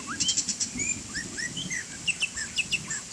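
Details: Quieter white-rumped shama song during rain: scattered short upslurred whistles and thin chips at uneven intervals, with low rain patter and hiss underneath.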